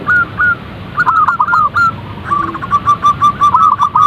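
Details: Zebra dove calls: a few separated coos, then a tight run of short, slightly rising notes repeated rapidly, with faint high chirps in the background.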